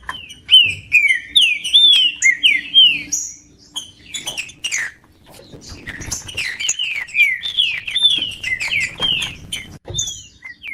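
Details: Green-winged saltator singing, meant to warm up a cold bird: long bursts of rapid, slurred whistles and chips, a brief lull, then another dense run of falling whistled notes.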